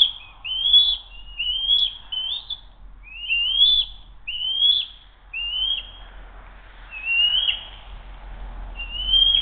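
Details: A nest-camera eagle calls at 12:10 on 07-02-2023 as a sibling briefly tries to take its food and fails. Repeated high, piercing whistles with upward flicks and falling tails arrive in pairs and singles, roughly one per second.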